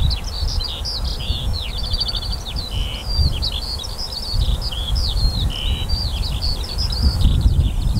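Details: Eurasian skylark in summer song over barley, 28 June 2018: a dense high warble of rattling trills, twittering notes and brief whistles, continuous throughout, with loud low wind noise.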